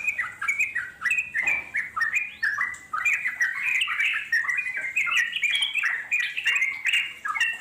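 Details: Wild yellow-vented bulbul chattering in extended ngeropel style, a recording played so wild birds respond: quick descending and rising note groups tumble in bursts, separated by short dips, with faint high ticks in the background.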